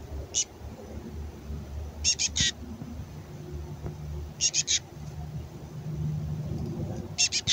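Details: Female black-capped chickadee begging in a raspy voice like a fledgling, soliciting food from the male before nesting season; harsh buzzy bursts in clusters of two or three, repeated about every two seconds, with a low hum beneath.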